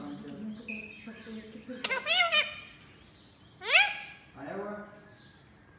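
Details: Pet Indian ringneck parakeet indoors, talking to a new baby ringneck in the house: raspy, voice-like harmonic phrases around two seconds in, a sharp rising squawk near four seconds, then a shorter falling utterance over low background murmur.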